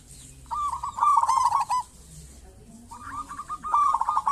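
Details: Local zebra dove in strong song, played to prompt other zebra doves to call; two extended rolling trilled coo phrases, each starting with a few separate notes and speeding into a burred run.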